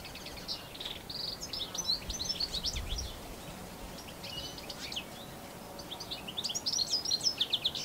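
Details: European goldfinch, introduced to New Zealand, recorded with a Canon SX60HS: long elaborate canary-like twittering with bursts of high tinkling, buzzy notes, a pause mid-phrase, then a brighter run of rapid chirps, over soft background hiss.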